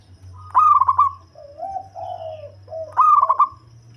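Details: Local zebra dove with a bass voice, a bird for luring others: two stuttering, rippling coo bursts framing a series of lower, drawn-out coos over a steady low hum.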